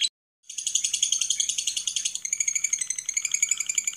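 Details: After a brief silent gap, a lovebird bursts into fast, high-pitched chattering, first a buzzy run of squeaky notes, then sharper, more clipped pulses after two seconds.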